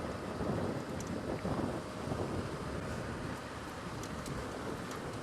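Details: Steady heavy rain with low rumbling from a moving vehicle and scattered drop hits throughout, no animal voices heard.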